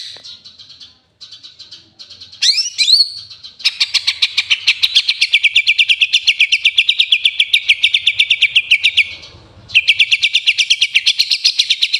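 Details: Master recording of Eurasian tree sparrow chirping, used as filler to train green leafbirds. It opens with scattered high chirps and a few upward-sweeping notes, then a long, rapid, steady chatter of metallic chirps that pauses briefly and resumes.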